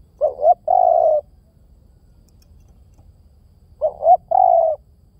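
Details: Spotted dove giving two cooing phrases, each a quick rising two-part note then a sustained level coo, separated by a pause of about three seconds; no other sounds.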